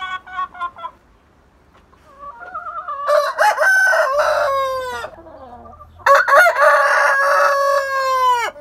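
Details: Several roosters in a coop crowing one after another: long, loud, harsh crows with strained drawn-out endings, overlapping in places, with brief clucks between the calls.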